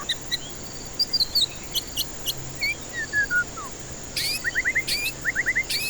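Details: White-rumped shama song as a lure for stressed birds reluctant to sing: scattered high chips, a few descending whistled slurs, then paired bursts of quick rising notes separated by sharp broadband clicks, over a constant faint hum.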